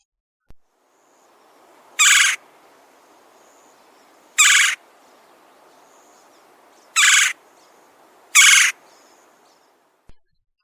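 Red-bellied Woodpecker giving four harsh, rolling churrs, each under half a second, spaced about two seconds apart over a faint steady hiss.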